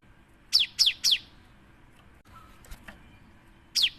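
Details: Actively singing cinereous tit as a lure for other birds: one triplet of loud, falling high whistles, a quiet gap with faint ticks, then a single note starting another phrase.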